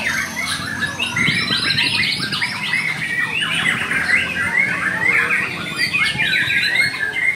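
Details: White-rumped shama pouring out continuous song of clipped whistles, rattling trills and rapid note strings at high pitch, overlapping with many other bird voices and a low murmur of background noise.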